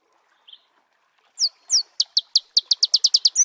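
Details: Song of a Marico sunbird in its natural habitat: a faint note, two high slurred notes, then a fast run of clipped, high-pitched chips repeated evenly until the end.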